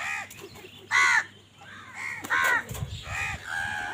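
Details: Crows fighting for food give loud, harsh, drawn-out caws, two strong ones separated by softer cawing, over a steady low hum.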